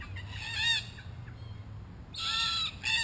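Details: Red-tailed black cockatoos, a wild Australian group investigating a spy camera, give a rasping call, a pause with a faint low hum, then two loud grating calls close together.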